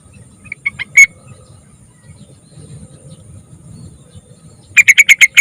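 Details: Young yellow-vented bulbul, played as a lure to prompt other bulbuls to sing: a few quick chirps rising into one loud sharp note, a pause, then a run of five loud, rapid, clipped chirps, over a low rumbling background hum.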